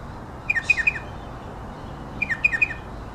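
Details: A striated pardalote of race melanocephalus gives its distinctive "cheep cheep cheep": two quick bursts of sharp, high chipping notes, three paired notes each, about two seconds apart, over a quiet background.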